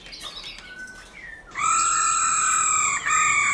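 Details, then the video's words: Black-throated laughingthrush singing giọng rừng, the forest style, used to spur caged birds: faint scattered notes, then one long, steady, rich whistle held for nearly two seconds, briefly broken and resumed. "Khướu Hót giọng rừng kích khướu bổi"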